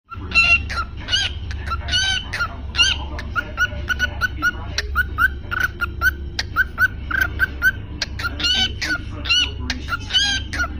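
A cockatiel gives a run of bright, harmonic chirps and short whistled notes in quick bursts.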